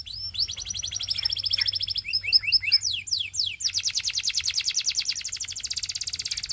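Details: Belgian canary delivering a rapid high trill, a few looping chirps, then a long even roll of very fast repeated notes lasting several seconds.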